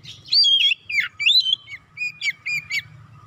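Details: Lure song of an oriental magpie-robin, aimed at quickly stirring rival birds to sing; opens with a loud fluty whistle, then short sweeping chirps and clipped notes in separate bursts.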